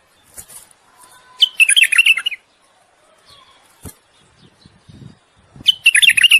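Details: Mating song of a common bulbul urging a female toward breeding: two lively phrases of fast, twittering, up-and-down notes about four seconds apart, with soft clicks and faint chirps between.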